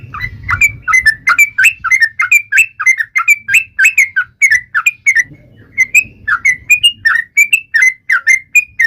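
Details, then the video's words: Yellow-vented bulbul taunting rivals with its song: a steady stream of short, liquid, whistled notes, each slurring up or down, repeated briskly with only a short break midway, and a faint low hum underneath. "trucukan gacor MENGEJEK LAWAN"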